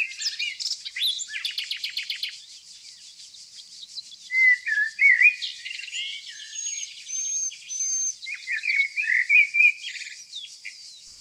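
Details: Nightingale song in Tonekabon's evergreen forest country, Mazandaran, northern Iran, captured without edits. Rapid rattling note series at the start, then pauses and varied rich whistled phrases, some rising, against a steady high insect-like hiss.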